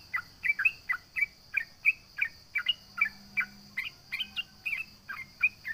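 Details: Trucukan, the sooty-headed bulbul, calling to goad rival birds: an even series of short, bright two-part whistled notes repeated about every third of a second, over a faint steady high hum.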